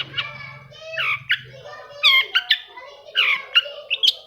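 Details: Long-tailed shrike (cendet) sounds meant to get reluctant shrikes singing: harsh, nasal, squawking notes with rough overtones, given in irregular short bursts, with a low hum at the start.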